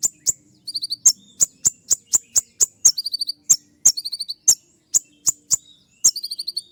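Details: A singing kolibri ninja, or olive-backed sunbird, delivers a rapid volley of sharp, high clicks like shots, broken by short trilled runs of thin chirps. The bird sings continuously, shrill and tight.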